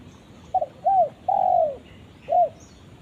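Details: Spotted dove calling its companion with one full cooing phrase: two quick stuttered notes, a short rounded coo, a long falling drawn-out coo, then a final short coo, low and mellow against faint background hiss.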